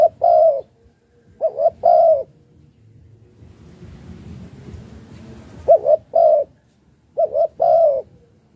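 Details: Malaysian-type spotted dove giving luring coos. Hollow, mellow phrases of quick short notes end in a longer, slightly falling coo. The phrases come in bursts separated by several seconds of quiet.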